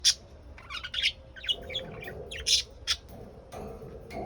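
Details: Lovebirds giving a busy run of shrill, harsh squawks and sharp chirps, loud bursts every half second or so, overlapping with softer chatter over a low steady hum.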